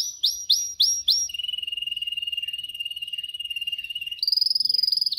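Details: Canary song for song training: four loud, sharp, falling notes, then a long, even, rapid low trill, switching suddenly to a higher, louder trill at the end.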